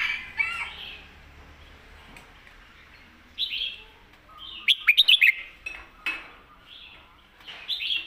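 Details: Red-whiskered bulbul, praised for a golden, loud voice, singing southern master-song phrases: several slurred whistled bursts spaced a second or two apart, one sharper run of rapid notes in the middle.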